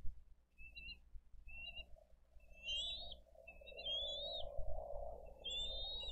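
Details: At a Dade County nest on 22 April 2023 bald eagle parents bring fish and feed the eaglets; scattered high whistled notes, some rising sharply, over a persistent mid-pitched hum and low rumble.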